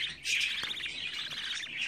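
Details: Captive budgerigar chicks, the oldest 24 days old, in a nest brood: dense, rapid high chirping and chattering runs on without pause, with a few sharp clicks underneath.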